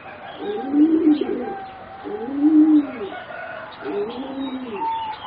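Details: Competition-bred singing zebra doves, four youngsters around three and a half to four months old. Rounded, arching coo phrases come about every one and a half seconds, rising then falling, with a thin steady tone above.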